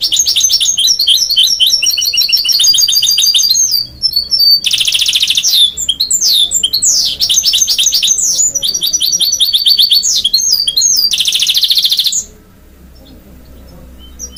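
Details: Song of a mule, a goldfinch crossed with a canary: rapid rolling trills and dense twitters alternate with harsh buzzy bursts, phrases running almost unbroken before the song stops near the end, leaving quiet low hum.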